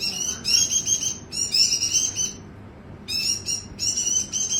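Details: Persistently singing white-eye delivers high, fast, tinkling warbled bursts, each lasting about a second, separated by short silent breaks, over a soft low background hum.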